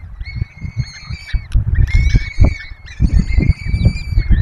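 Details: Peregrine falcons at a webcam nest in the Barycz Valley, Poland, during feeding of four chicks: drawn-out harmonic wailing calls in three long bouts with a short gap, over heavy low thumping and rustling from the nest.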